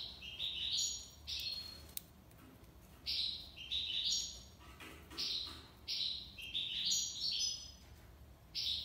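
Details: Tiwawati-style song of a European goldfinch from Algiers, Algeria: clusters of stepped, rising twittery notes that end in sustained buzzy tones. Phrases come every few seconds over a steady low hum.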